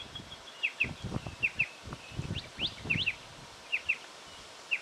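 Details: Striated pardalote from Victoria, Australia, October 2011, giving clear high doubled chips in quick succession, with one rising note mid-run, over a bed of low rumbling and rustling sounds.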